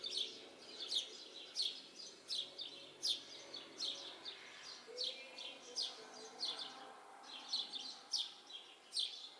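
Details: A yard tree full of house sparrows, chirping steadily with sharp, high, downward-swept notes about every half second, irregular in rhythm, over a low faint hum.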